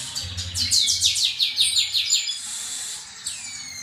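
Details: Male chestnut-capped blackbirds in a singing contest; a loud run of rapid buzzy, descending trilled notes lasting about two seconds, followed by a short upslurred whistle, with a low rumble and faint speech in the background.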